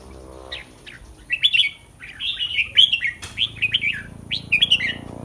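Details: Thai caged red-whiskered bulbul before a song competition: a run of clear whistled, slurred notes in quick groups, rising then dipping, with one sharp click midway and steady low room hum beneath.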